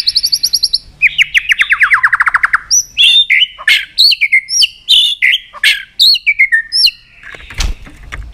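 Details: White-rumped shama in a many-voiced song meant to excite other shamas into singing: a fast buzzy trill that drops in pitch, then a string of bright whistled phrases mixed with sharp high chips, repeated several times a second.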